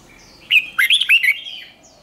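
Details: A red-whiskered bulbul gives a 'giọng xoắn' twisting song used to train birds for singing contests: a quick run of six bright, rolling whistled notes, rising then dipping, over a quiet background.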